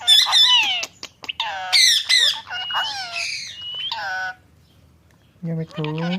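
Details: Pet ringneck parrot talking face to face: rapid chattering, squawky syllables with shifting pitch in bursts, a pause, then lower nasal word-like sounds.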